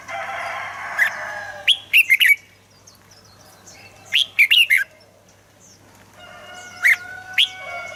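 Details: Red-whiskered bulbul song used to excite caged birds: a muffled buzzing first, then two clear phrases of four quick whistled notes about two seconds apart, and two single notes to finish over a faint drone.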